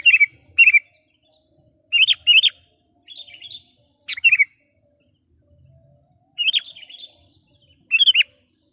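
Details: Decoy sooty-headed bulbul in energetic song to call wild kin: paired and tripled chirpy, warbled notes in quick bursts, separated by short pauses, over a very quiet background with a faint constant high hum.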